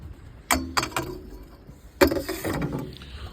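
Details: Sharp mechanical clattering and knocking in two bursts, like gears or a ratchet, with faint low background rumble and no animal voice.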